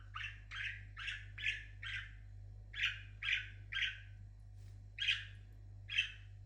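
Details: Parrot at home repeats short chirping notes, each a quick upward-swept chirp, in two bursts of five with a few spaced chirps after, about every half second.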